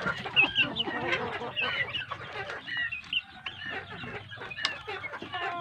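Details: A flock of big domestic chicks on quality feed: piercing high peeps, some long and level, others quick and downslurred, repeated densely among softer background cheeping.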